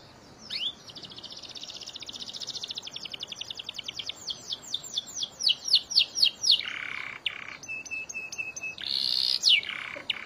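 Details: Canary in long 'isian gacor panjang' song for canary therapy: a rising note, then a long high rattling trill that quickens into bright upslurred whistles, followed by a buzzy chatter, a steady pure tone and a harsh burst.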